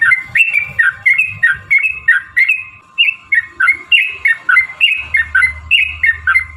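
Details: Yellow-vented bulbul in full rapid song used to prompt other bulbuls to answer. Short, bright, gurgling phrases repeat about three times a second in an even run over a continuous background hum.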